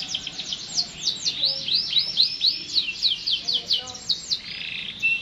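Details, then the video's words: Canary song in a long continuous performance: a rolling series of quick swooping high notes, varied in speed, fading to softer warbling at the end. "٣٠ دقيقة تغريد مستمر ورائع مهما كان نوع الكناري خاصتك سيبدء بالتغريد"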